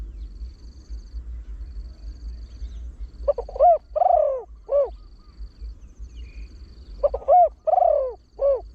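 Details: Spotted Dove, a trained lure bird with a deep voice that wild birds answer quickly. It gives two full coo phrases about four seconds apart, each made of stuttering short hoots, a long falling coo and a closing hoot, over faint high ticking.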